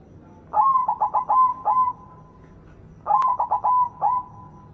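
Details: White zebra dove, singing actively with a big voice, used as a lure to get silent zebra doves singing; two rapid cooing phrases, each a quick run of about five clipped notes trailing into a drawn-out tone, about two and a half seconds apart.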